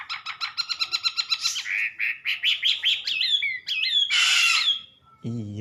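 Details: Wambi song opening with a quick rattle of repeated notes, then slurred whistles and chattering phrases, a harsh buzzy burst, and a person speaking briefly at the close.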